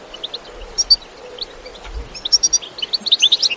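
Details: A goldfinch's 'batbata' style singing from nature, no effects: sparse, soft high chirps at first, then a quickening run of bright twittering notes in the final second and a half.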